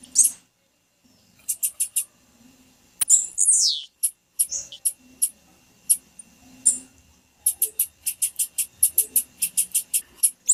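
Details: Blue-black grassquit, a male's leap song, with a female's calls used to get him singing: rapid runs of short, high, buzzy ticking notes, a few swooping descending squeaks, and soft low murmurs between the bursts.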